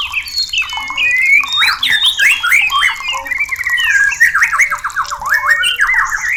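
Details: Full-filled gacor song of a white-rumped shama, used to rouse mating readiness: a fast, unbroken stream of varied warbled and zigzag whistles, dense and energetic throughout.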